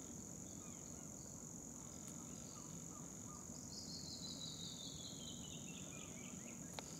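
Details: A Canyon Wren at Parque Ecológico Chipinque, San Pedro Garza García, Nuevo León, Mexico, on 5 August 2017 sings a cascade of clear, quick notes sliding steadily downward over about three seconds, over a constant high insect drone and low rumble.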